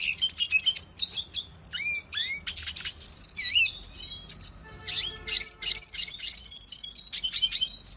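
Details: Red siskin singing a training song for cage birds: rapid varied phrases of high twittering notes, clear rising and falling whistled slurs, and fast trilled runs repeating in quick bursts.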